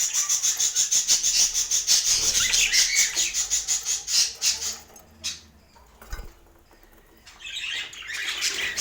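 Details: Budgies tasting healthy food: a rapid run of bright, high, clicking chirps repeated several times a second, then a quiet pause with a soft knock, then scratchy chatter returning at the end.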